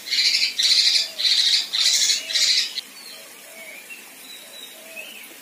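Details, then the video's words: Female kinoi singing coarse tembakan kasar as tutor material for contest birds: five harsh buzzy bursts in quick succession, then quiet with only faint thin notes. "Besetan Dan Tembakan Kasar Kinoi Betina"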